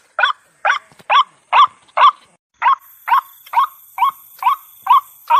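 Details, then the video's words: White-breasted waterhen lure call used for trapping: harsh, nasal notes repeated steadily about twice a second, each a short burst with a slight upward inflection, with a brief pause near the start. Faint high hiss joins partway through. "suara pikat burung ruak2"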